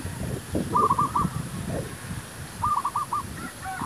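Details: Zebra dove song used in luring wild doves to a trap: two clipped, rapid runs of soft cooing notes, each rolling into a short ending, with loud rustling and thumping underneath.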